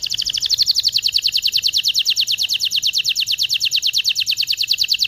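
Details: Canary song meant to stimulate mating, made of one continuous rapid trill of evenly repeated notes, roughly nine per second, steady in pitch throughout.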